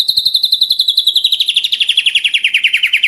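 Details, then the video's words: White-rumped shama song from a 2024 tutoring recording for captive birds: a fast, even trill of buzzy notes that slides slowly downward in pitch over three seconds. "MASTERAN MURAY BATU 2024"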